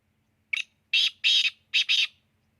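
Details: Black francolin calling loudly at close range: one short thin note, then a pause and five harsh, rasping, broadband notes in two quick groups, the last pair nearly joined, with a quiet background.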